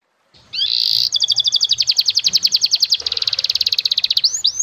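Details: Canary master song with a fancy melodic style, used to train young and fledgling birds to sing: a buzzy trill opens, followed by fast repeated high notes and quicker rattling runs.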